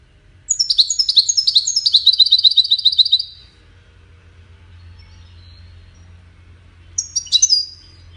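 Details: European goldfinch of the Wiidani kind: a three-second run of rapid high twitters ending in a quick even trill, then a long pause with low background hum, then a short renewed burst of sharp notes.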